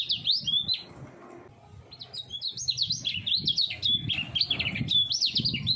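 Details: Contest-hopeful common iora aged three singing at full speed: a short warbled burst, a pause of over a second, then a long unbroken stream of rapid, looping high whistles over low rumbling noise.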